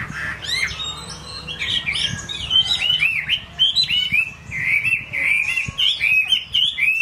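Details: Chinese hwamei singing a rich, varied song of loud whistled phrases, slurred rising and falling notes tumbling together over seven seconds, with a faint low hum beneath.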